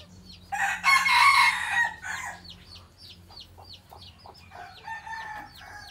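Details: Traditional Phatthalung-line decoy junglefowl, bred at home for luring wild birds, crows loudly in a rough stretched phrase. Afterwards quick high chirps repeat at about three per second from a smaller bird in the background.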